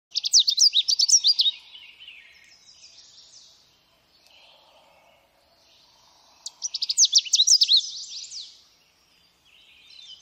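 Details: Canada warbler song: two bursts of rapid, jumbled, high chattering notes about five seconds apart, each lasting over a second, with softer thin trailing notes between and a quiet background.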